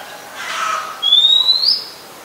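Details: Singing Oriental magpie-robin recorded in Ubon Ratchathani, Thailand, on 17 July 2021: one long pure whistle climbing gradually then lifting at the end, after a faint lower wash of sound.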